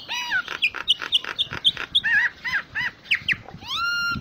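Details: Full 'isian' song of a common myna (jalak nias), a tutor recording: a varied string of loud whistles, chuckles and arched harmonic notes with short pauses, ending in a long rising whistled note.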